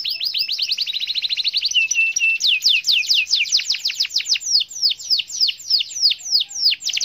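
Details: Gacor canary singing to prompt silent birds: a rattling fast trill, a brief low whistled phrase, then long chains of crisp descending sweeps repeated several times a second.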